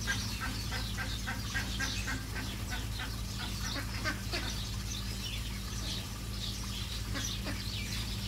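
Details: Egyptian geese honking in a busy chorus, short hoarse notes overlapping steadily across the whole stretch, over a bed of high bird chirps and a continuous low mechanical hum.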